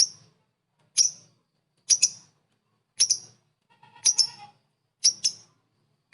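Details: Lovebird sounding off to provoke other lovebirds: piercing high chips, often doubled, roughly once a second, with a faint buzzy chatter midway and soft low hum.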